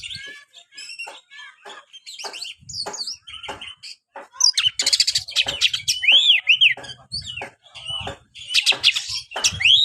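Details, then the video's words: Oriental magpie-robin song for stimulating a reluctant kept bird: rapid clicks and short notes building into loud repeated arched whistles and buzzy bursts toward the end. "buat burung Kacer anda yang malas bunyi"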